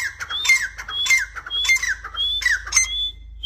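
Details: Partridge giving a run of scratchy squawking calls, each paired with a thin high whistle and a falling rasp, repeated roughly every half second over a steady low hum.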